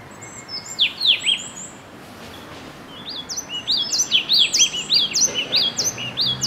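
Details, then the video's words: Yellow tit calling: a few high, bright chirping notes, then a pause, then a fast run of rising and falling chirps, the notes overlapping as if from more than one bird. "黃山雀 Yellow Tit"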